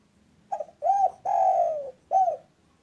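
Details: Active local spotted dove with 'kuk satu' calling, played as a lure to make doves call fast: a four-part cooing phrase, brief opener, arched middle coo, extended descending coo and clipped ending, with low background hum.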